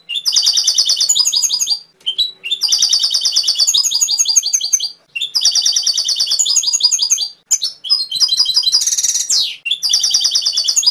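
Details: Singing canary delivering repeated bursts of rapid, rattling high trills, each lasting about two seconds with short pauses between, plus a brief buzzy note near the end.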